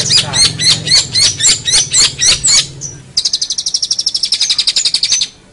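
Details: Long-tailed shrike singing, used as a training recording for cage birds: about ten loud, spaced chirping notes with a low hum behind them, then a quick, thin, high trill of rapid repeated notes.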